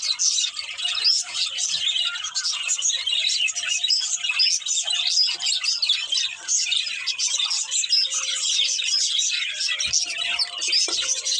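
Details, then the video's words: Breeding pair of budgies keeps up a steady stream of busy, chattering chirps and scratchy warbles, overlapping and continuous from start to finish, with faint soft knocks underneath. "Cute Budgies Chirping Sounds | Love Birds Breeding Pair"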